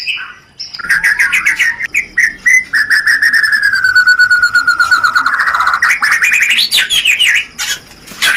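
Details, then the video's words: Shama 'rencetan' song used as a mating lure: one long, clear whistle drawn out and gently falling for several seconds, then breaking into quick rising chirps and sharp clicks. "pancingan Suara Rencetan Ini Ampuh Membakar Birahi Murai"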